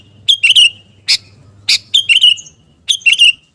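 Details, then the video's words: Gacor-style song of a Sooty-headed bulbul (kutilang garuda), played to build fighting spirit: four short bubbly phrases of quick warbled notes, the second a single sharp chirp, over a faint low hum. "KUTILANG GARUDA GACOR penggedor mental tarung Burung KUTILANG"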